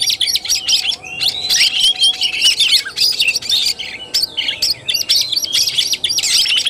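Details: Oriental magpie-robin, kacer tarung fighting-style song, 17 August 2021: fast, continuous mix of high whistled slurs, buzzy notes and sharp chips in tight, choppy phrases.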